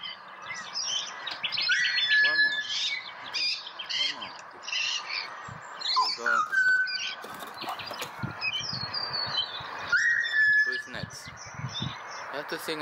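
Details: Pied butcherbird in Australia, coaxed to sing for a reward, gives clear whistled notes that slide up near the second, sixth and tenth seconds amid busy chattering chirps of other birds and a person's encouraging voice.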